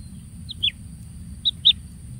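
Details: Kingfisher chick pampered with plenty of food: four sharp, high, down-slurred chirps in two close pairs about a second apart, over steady low rumbling background noise.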